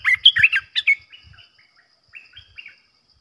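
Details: Olive-winged bulbul decoy bird for trapping delivers a loud, fast string of bubbly whistled notes, fading into softer slurred phrases with a few quiet chirps afterward.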